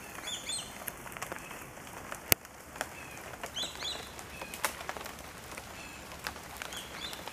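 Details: A group of swallow-tailed kites flying together and vocalizing. Short, high whistles come at scattered moments against steady background hiss and scattered sharp clicks.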